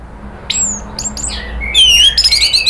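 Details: Orange-headed thrush in a lure recording meant to provoke agitated calling: soft high whistled slurs, then a louder run of sharp, rapidly warbled notes near the end.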